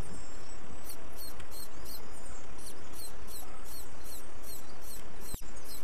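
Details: Late-hatched little pied flycatcher chick that often misses out on food, begging: thin, very high pulsed notes repeated about three times a second over a steady hiss of background noise.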